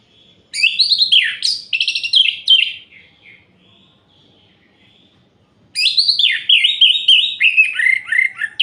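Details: Orange-headed thrush song at night, used to provoke other males: dense bursts of jumbled whistles, squeaks and chatter for two seconds, a soft thin whistle during a lull, then another long excited warbling phrase.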